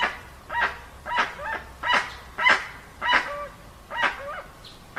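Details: Dusky-legged guan in a clean, original recording with no added effects: loud harsh honking notes repeated about every 0.6 seconds, each a broad rasping burst with a nasal tonal tail dropping lower, about seven notes in a row.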